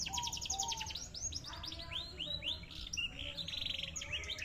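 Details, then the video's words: Large-bodied canary singing a fast, varied song: rapid high trills, a series of arched swooping whistles, then buzzy rolling notes, all over low background rumble. "kenari big postur"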